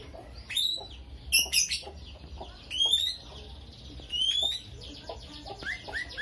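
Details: Caged lovebird in full chattering song, kept as a fighter bird with a starling-imitation repertoire; shrill, sharply rising chirps come in irregular bursts, some doubled, with a brief flutter of quieter notes between them.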